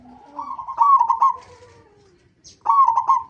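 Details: Lure song of a local zebra dove, played to make other zebra doves sing: a soft low note rising into a rapid rolling coo phrase, a fading tail, then a fresh burst after a pause.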